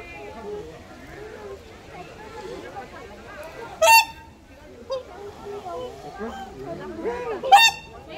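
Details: A captive whooper swan at a zoo bird exhibit gives two loud, brassy trumpeting calls about four seconds apart, over steady chatter of people talking nearby.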